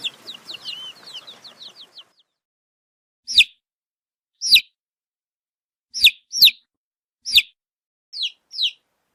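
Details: Baby chick of a hen: a quick series of thin falling peeps at first, then single loud, sharp downward cheeps spaced about a second apart in silence, some given in pairs.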